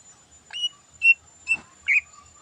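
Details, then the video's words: Cucak ijo (green leafbird) in the morning, a quieter stretch of its full fill-in song: four short, thin whistled notes at a moderate pace, with a faint low hum underneath. "Burung Cucak Ijo Full Isian Istimewa Gacor Pagi Hari"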